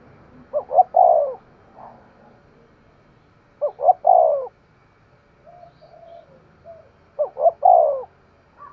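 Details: Decoy spotted dove in 'thúc gù' calling, its voice called sharp: three evenly spaced phrases, each two or three crisp rising notes flowing into a full descending coo, with soft murmurs between.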